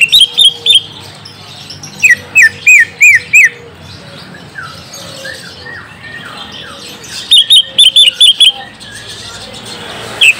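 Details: Green leafbird song used to lure a young bird into answering: bursts of sharp, clipped chirps and short down-slurred whistles in rapid runs, separated by quieter gaps with soft background warbling.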